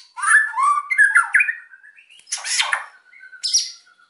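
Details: White-rumped shama in an energetic, emotional song meant to provoke quiet birds into singing: rich whistled phrases around mid pitch, sliding notes, then harsh buzzy bursts and a long thin whistle.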